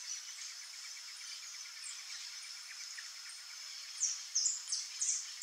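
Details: Rufous-bellied thrush nestlings in the nest give thin, high, squeaky begging notes in a quick burst of four or five near the end, over a steady insect hum.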